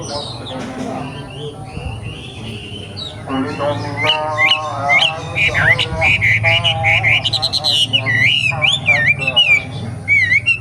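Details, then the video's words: Young wild forest wambi song: a busy, varied run of chirps, trills and wavering whistles that grows louder after a quieter start, with a steady low hum behind. "KICAU WAMBIE MUDA HUTAN 🔥🔥🔥 BIKIN WAMBI LAIN IKUT BUNYI"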